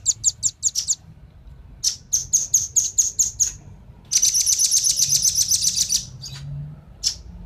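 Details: A male and female velvet-fronted nuthatch, used to attract wild birds, give rapid high chips in short series. A long, dense, harsh trill follows, then a couple of isolated notes.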